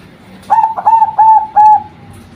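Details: Female zebra dove giving a rhythmic string of four short, rounded coos on one pitch, each slightly arched, ending in a softer trailing note, with low background hum.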